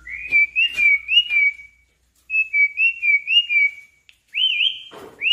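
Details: Asian pied starling singing a long rolling song, used as a lure and master recording to get other birds singing: clear wavering whistles in two runs separated by a pause, then a rising, bending whistle and a short dry click.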